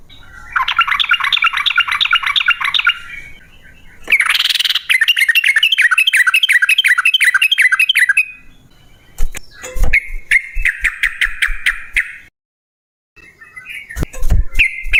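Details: Yellow-vented bulbul in full, prolific song, used as a lure to make other bulbuls sing: dense bursts of rapid bubbly warbled notes, then sparser sharp chirps and short clipped phrases with some thumping noise.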